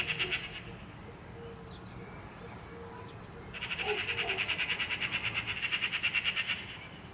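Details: Eurasian magpie giving a harsh, rattling chatter for about three seconds: a fast run of rasping, evenly spaced notes, roughly eight per second, after a quieter stretch with faint low background noise.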